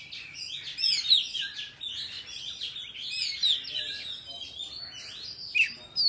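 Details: Young oriental magpie-robin in a song-training recording: a rich, varied run of high whistles, chirps and quick slurred notes, with a few sharp rising phrases, flowing almost without pause.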